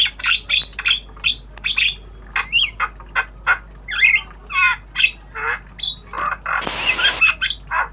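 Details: Black-winged starling, tame, in training and learning sounds: a busy string of short harsh squawks and chattering notes, some whistled and rising, repeated about every half second, with a brief burst of broadband noise near the end.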